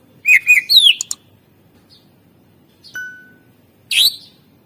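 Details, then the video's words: Greater green leafbird song used as a lure: a quick burst of warbled and slurred notes, a pause, one thin steady whistle, then a single loud sweeping note. "masteran cucak ijo gacor ampuh untuk pancingan burung suara isian mewah"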